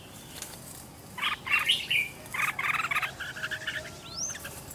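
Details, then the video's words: Red-whiskered bulbul decoy bird trained at home, singing a fighting song used to lure wild bulbuls and spur other birds to sing; bright warbled chirps in quick bursts from about one second, then a short rising whistle near the end. "Chào mào mồi gọi bổi"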